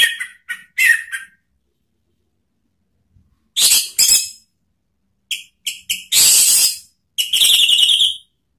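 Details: Orange-headed thrush song used as a lure to provoke other birds into singing: scattered bursts of sharp, buzzy high notes and harsh scratchy phrases, with short gaps between groups and a trilled phrase near the end.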